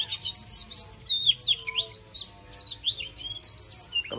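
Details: Oriental magpie-robin (chòe than) singing to welcome summer, pouring out clear, high whistles that swoop and bend, mixed with quick chirps and short twittering bursts in a continuous, lively stream.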